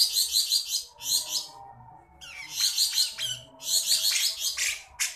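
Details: Song of a Javan black-headed bulbul, meant for tutoring other cage birds: loud, rapid high-pitched chattering bursts and sharp upslurred notes, pausing briefly between dense rattling phrases.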